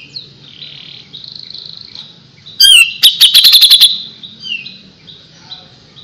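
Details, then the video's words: Grey-cheeked bulbul singing: soft warbled high notes, then a loud sharp upslurred note followed by a quick run of clipped, high chipping notes, fading back to quiet thin whistles. "suara burung cucak jenggot // cucak jenggot gacor masteran burung cucak jenggot"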